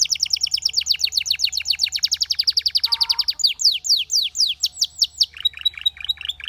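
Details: Belgian canary singing a rapid, high trill of repeated downward-sweeping notes, close to four per second, that speeds into a fast buzzy roll and then shifts to slower, clearer slurred phrases.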